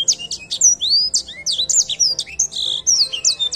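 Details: Edel sanger song in a bird singing contest. High, rapid whistled notes and quick upward and downward slurs follow each other almost without a break, over a low background hum.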